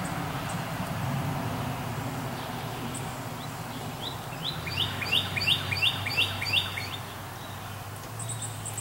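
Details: American goldfinch feeding on sunflower seeds: after a few seconds of low hum, a run of about seven quick twittering notes, each sliding up then down, repeats at a steady pace before fading, with faint high ticks around it.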